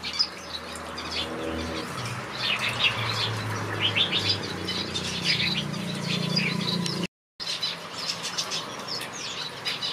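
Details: Finches in a backyard aviary chatter in a dense chorus of quick, high chirps and trills. A low hum runs beneath, wings flutter, and there is a brief break in the sound.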